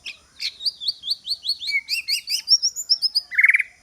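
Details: White-rumped shama song used as a decoy for luring rival birds: a rapid string of about fifteen high, sharply bent whistled notes, evenly spaced, ending in a lower buzzy trill.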